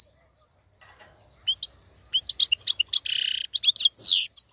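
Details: Caged male European goldfinch used to teach young birds, starting after a quiet second with scattered chirps that build into quick twittering notes and a brief buzzy nasal trill.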